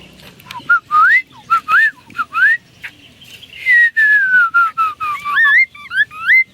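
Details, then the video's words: Chinese hwamei singing energetically: a run of loud, clear whistled notes, many sliding upward, then a long descending whistled phrase, followed by quick rising slurred whistles. "Suara burung Poksay Mandarin gacor terbaru"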